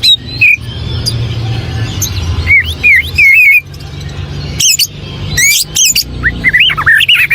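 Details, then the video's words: Wild white-rumped shama in forest, giving short whistled phrases and sliding notes amid sharp broadband bursts, over a steady low rumble of background noise. "SUARA BURUNG KUCICA HUTAN"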